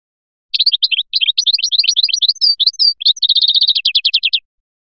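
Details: Continuous flyachi song from a Biskra goldfinch lasting about four seconds: mixed chirps and short whistles, a brief whistled slur, then a fast, even, rattling series of repeated notes at the end.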